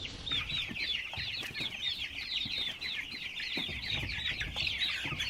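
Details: A dense chorus of baby chicks, high peeps blurring into a continuous chirping wash with scattered soft bumps.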